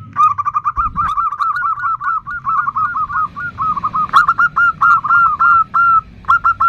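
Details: Female zebra dove calling to a male with the nutut call: rapid runs of short hooked cooing notes, mid-pitched and steady, with brief pauses and a sharp click near the middle, over a faint low rumble.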